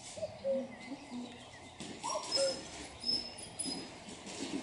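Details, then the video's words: Common cuckoo recorded close up, giving soft two-note calls, a higher note followed by a lower one, heard twice in a few seconds over a steady outdoor background hiss with faint high bird sounds. "Koekoek van dichtbij Common cuckoo in close up"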